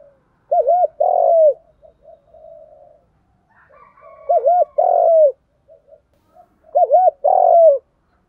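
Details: A female spotted dove decoy calls to entice males. Three regular phrases follow each other about every three seconds, each a quick double coo then a longer mellow note. Faint chirps are heard between the phrases.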